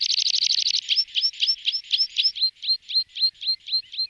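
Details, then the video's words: Water pipit (Anthus spinoletta) song: a fast buzzy run of high notes, then a steady series of thin, sharply rising notes at about five per second, with no other sounds. "Chamariz, Señuelo, Petinha Ribeirinha, Anthus Spinoletta, Bisbita Ribereño Alpino"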